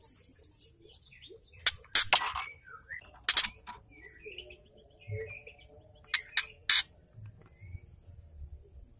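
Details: Female white-rumped shama calling to stir males into song: repeated harsh broadband crackles alternating with short slurred whistles and chirps throughout.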